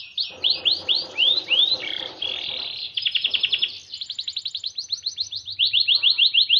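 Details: Song of a white Norwich canary: quick upswept whistles give way to a buzzy rattling roll, then a rapid high trill and a string of clear repeated chirps.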